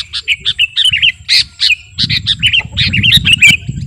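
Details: Kutilang garuda sooty-headed bulbul in lively song meant for luring and as a master recording; quick run of bubbly, wavering whistled notes and sharp chirps, tightly packed, with a soft low rumble underneath.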